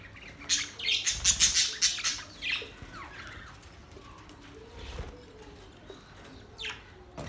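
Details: A loud burst of fast budgie chatter with harsh squawks and twittering notes for about three seconds, then quieter scattered chirps and a lone rising call near the end.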